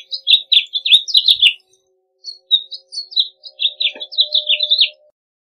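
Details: Three bright warbling phrases from a house finch, each a rapid string of high, down-slurred chirps, with a faint low tone and a soft click in the background.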